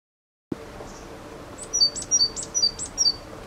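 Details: Great tit song: after half a second of quiet, a run of short, very high, thin chirps and whistled notes, several paired, coming about every few tenths of a second over faint background hiss.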